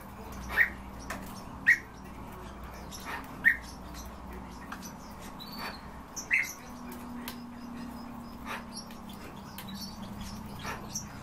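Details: European bee-eaters kept in captivity give short, bright calls, four spaced at irregular intervals of one to three seconds, over a steady low hum with frequent clicks and rustling noises.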